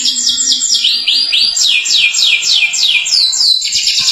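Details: Atlantic canary singing a long 'gacor' song said to make other canaries sing too: a repeated chain of high downslurred whistles about twice a second, ending with a short pause and a soft note.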